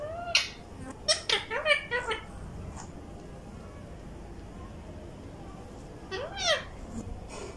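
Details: Pet rose-ringed ring-neck parrot talking in Urdu in Vehari, Punjab, Pakistan, kept alongside other parrots: a few harsh, rasping syllables in quick succession, then a pause and one more drawn-out, arching utterance, over steady low background hum.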